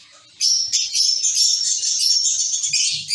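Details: Colony of zebra finches in a cage, a sudden burst of sustained high nasal chatter after a moment of quiet, calls running together, with faint low thumps near the end.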